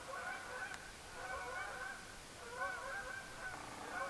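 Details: A flock of Canada geese honks continuously at night under the blood-red moon of the lunar eclipse, 27 September 2015, with overlapping nasal, mid-pitched calls rising and falling. No other sounds stand out.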